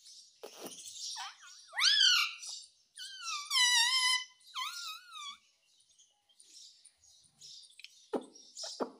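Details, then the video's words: Talking ringneck parrot producing a string of harmonic, voice-like syllables, some swooping upward and others wavering, interspersed with quieter scratchy sounds and clicks over about nine seconds. "Cute Ringneck Parrot Talking Mummy Mummy"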